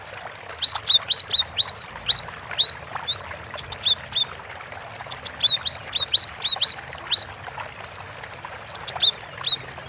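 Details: Long-running gacor song of the gelatik batu, or cinereous tit: crisp high two-note phrases repeated briskly in several dense bursts, with short breaks and light background hiss.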